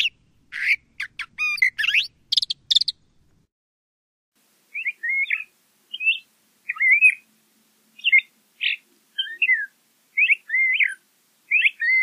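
LeConte's thrasher singing: varied whistled and slurred phrases, each under half a second, repeated about every second, opening with a quick burst of harsher mixed notes.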